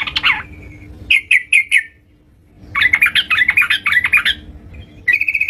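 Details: Yellow-vented bulbul singing actively at home: a short chattering burst, a pause, then a quick three-note phrase and a long run of rapid, bubbly, sharp notes ending in a buzzy trill, over a faint steady low hum.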